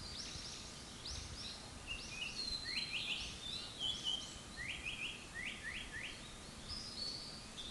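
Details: Japanese paradise flycatcher song: clear whistled notes and a series of quick downward-sweeping, rising-then-falling phrases, several in rapid succession, over steady background hiss.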